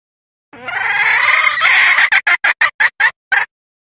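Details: Red junglefowl female call meaning she wants to mate, played as a hunting lure: a loud sustained harmonic note lasting over a second, breaking into seven quick clucks.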